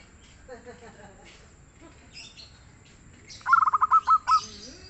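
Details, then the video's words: Local zebra dove, called a frequent singer with a mellow voice. Faint chirps and rustling come first, then a single loud phrase of hurried staccato coos slowing into several longer, rounded notes. "SUARA BURUNG PERKUTUT LOKAL YANG GACOR DAN EMPUK"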